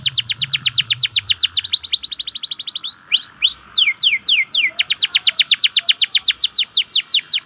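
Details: Local canary lure song intended to set other canaries singing. Long, very fast trills of steep downward sweeps are broken by a few slower, drawn-out slurred whistles, then the rapid trill resumes.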